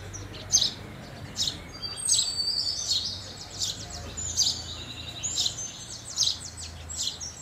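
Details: Chirping house sparrows with overlapping higher twitters, notes bunched irregularly across several seconds over faint low background noise.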